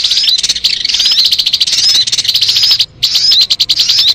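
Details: Sogon bird song used for luring birds, loud dense chatter of rapid clicking notes mixed with short bright whistled slurs, broken by a brief pause near three seconds.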